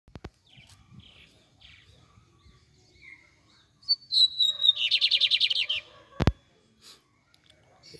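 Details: Double-collared seedeater, called bigodinho in Brazil, sings one phrase: a thin whistle slides downward, then breaks into a fast, buzzy string of about a dozen rapid high notes lasting under two seconds. A sharp click follows, with quiet background between.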